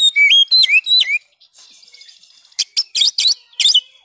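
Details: Kacer, or Oriental magpie-robin, singing for training reluctant birds: three sharp whistled phrases slide up and down, a quiet spell of soft chatter follows, then a run of harsh buzzy bursts.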